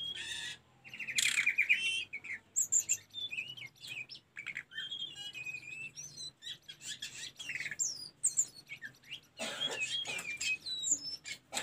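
A Snowy-browed Flycatcher sings a rapid, high-pitched run of thin chirps, short trills and squeaky notes, varied and nearly continuous, with a faint low hum behind.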